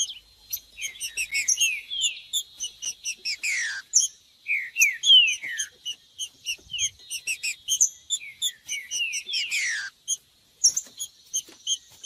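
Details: Song of the green-winged saltator, played to heat up a captive bird before tournaments: long runs of rapid high chips punctuated by swooping downward whistles, in two dense bouts separated by short gaps.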